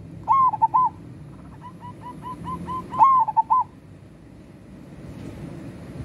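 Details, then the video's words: Local zebra dove singing actively: two loud cooing phrases of a rising note and quick soft coos, separated by a fainter, rapid series of even notes from farther away. "Suara burung perkutut lokal gacor"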